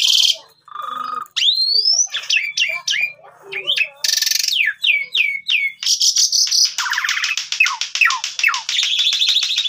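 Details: Asian pied starling singing as a lure for training young starlings. Upswept whistles and repeated falling slurs run into harsh grating bursts and a fast rattling trill near the end.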